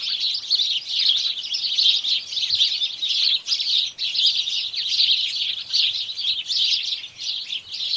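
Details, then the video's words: House sparrows in chorus, a thick wall of overlapping shrill chirps and tweets that rises and falls in waves over several seconds, with brief lulls near the middle; only birds are heard. "House Sparrow Birds Chorus"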